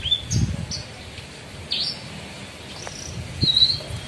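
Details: Caged bushlark, kept as a songbird, singing: scattered high whistled notes and short rising slurs with pauses between them, over a low background rumble.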